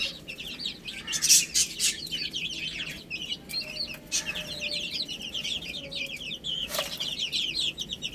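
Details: Chicks eating spinach: fast overlapping high peeps, roughly four a second, broken by occasional sharp pecking clicks.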